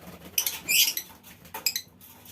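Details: Lovebird colony in a mini aviary, calling to prompt other birds into long ngekek chattering; two short bursts of shrill, scratchy high chatter with quiet gaps between.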